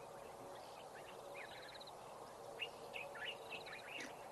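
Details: Oxpeckers riding on a buffalo in rural KwaZulu-Natal, South Africa, give short, buzzy, rasping chirps in quick repeated bursts, over a steady low hum of traffic on a nearby road at a busy time of day.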